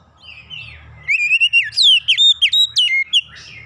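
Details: Oriental magpie-robin in full song, used as a lure to get other birds singing: after a soft warble, a vigorous run of about a dozen loud, piercing whistled notes with quick zigzag slurs, steadily repeated.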